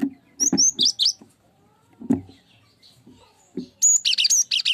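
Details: Lure song of a cinereous tit, meant to set other birds singing. Brief clusters of thin, high chirps open and close the clip, separated by a quiet stretch with scattered low thuds.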